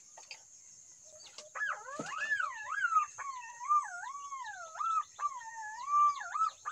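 A green pigeon gives long, mellow whistles that wander up and down in pitch, in flowing phrases over several seconds, above a steady high insect drone.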